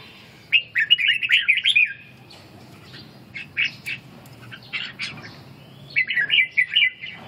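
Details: Red-whiskered bulbul practising ché song while regaining stamina: three bouts of rapid, chattering warbles. The first and last are quick strings of slurred notes, with sparser chirps in between and quiet gaps separating the bouts.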